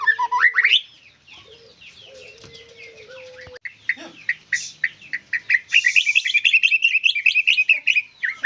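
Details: Captive white-rumped shama: a loud rising slur opens, a quieter stretch follows with a faint low tone, then a dense, rapid chatter of chips and twitters building to the end.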